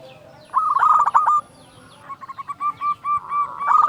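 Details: Loud local zebra dove in active song, used as a lure to get other doves singing. A rolling, stuttered coo is followed by a run of evenly spaced, higher arched notes, ending in another burst of rapid cooing.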